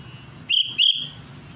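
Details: Sooty-headed bulbul challenging a rival with one pair of bright, slightly rising whistled notes, closely spaced, against a soft low background hum.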